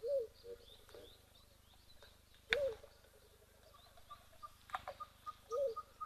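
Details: African mourning dove calling at a waterhole in Africa, a call described as beautiful and distinctive: short rising-and-falling notes recur three times, at the start, middle and end, over steady outdoor ambience with a faint series of repeated ticking notes.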